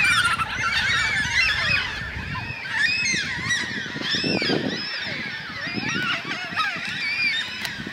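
A large flock of yellow-tailed black cockatoos fills the air with overlapping drawn-out, wailing calls that rise and fall in a continuous, restless chorus.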